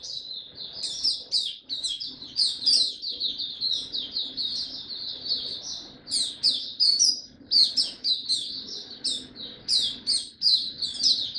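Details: A Singapore white-eye in captivity, resuming song on 31 July 2023, sings a sustained, energetic high warble of fast chirps and trills in tight repeated bursts throughout.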